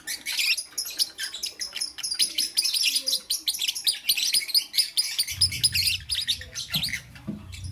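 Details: Lovebird in the morning, chirping fast: dense, sharp, high chirps packed tightly for most of the stretch, thinning near the end as a low rumbling thump comes in.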